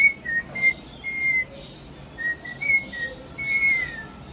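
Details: A pet cockatiel that is being taught whistled tunes and already knows three whistles a learned tune: clear, pure notes, some clipped and some drawn out, stepping between two close pitches, about nine notes in four seconds.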